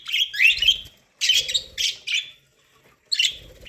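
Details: Several pet budgerigars eating corn give short rasping chirps and a rising warble, then a brief quiet gap before another scratchy burst, with soft pecking sounds below.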